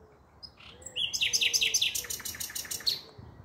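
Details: Common nightingale phrase from 5 May 2023: after a soft rising lead-in, loud rapid repeated notes pour out for two seconds in a dense, rhythmic volley before trailing off.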